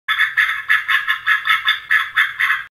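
A Mallard gives a quick run of about nine harsh, nasal quacks, roughly three or four a second, with nothing else heard.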